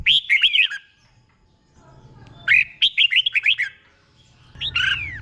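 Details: Red-whiskered bulbul singing its doubled 'bueng' song for caged birds to copy: a quick phrase of lilting whistles, a quiet gap, a longer run of about eight rolling notes, then a curving whistle.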